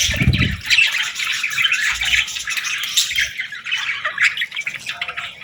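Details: Several young budgies chirp as they beg for food: rapid, scratchy, overlapping chirrups that run without a break. A low thud sounds at the start and soft bumps follow.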